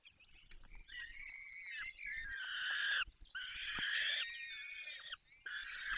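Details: Falcons at a nest in the Barycz Valley, Poland, while being fed. Grating drawn-out screeches blur into near-continuous rasping calls with slight pauses, over a faint low rumble.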